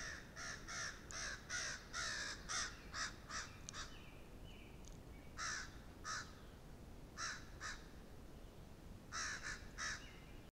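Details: Crows caw harshly in rapid, excited bursts, sounding the alarm at a red fox feeding in the grass near an upper pond.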